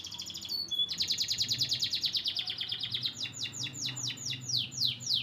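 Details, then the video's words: A white crested Belgian canary sings a high, rapid rolling trill of many quick notes, then shifts to a slower series of bright, downward-sweeping whistles. "white crusted canary nice singing"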